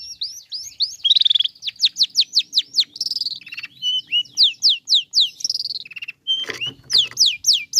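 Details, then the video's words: Long-tailed shrike singing, meant to excite other shrikes into calling: rapid series of sharp rising notes, about four per second, mixed with harsher buzzy bursts and a brief chatter near the end. "Bikin Cendet Loyo Kurang Emosi Agar Segera Terpancing Emosi &Ikut Bunyi"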